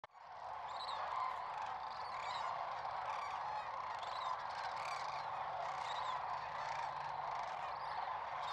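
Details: A dense chorus of sandhill cranes at a spring migration stopover on Nebraska's central Platte River: countless rolling, trumpeting rattles overlap into a steady roar, with no pause throughout.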